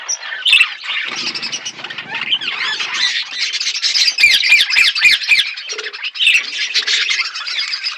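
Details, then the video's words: Budgerigar flock eating food: a dense, continuous chatter of high chirps and scratchy warbles overlapping throughout, with a few sharper squeaks standing out. "Birds chirping beautiful budgies flocks birds eating food"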